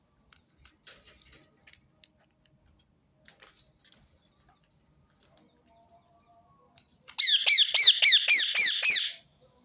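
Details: Rose-ringed parakeet giving a burst of loud, harsh, rapidly repeated screeches for about two seconds near the end, after a long stretch of faint clicks and scattered soft chirps; the call is repeated to make other birds sing.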